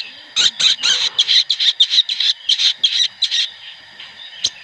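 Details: Sooty-headed bulbuls calling as a flock, played as a lure to make birds sing. A fast series of harsh, bright chattering bursts, about three per second, fading at the end.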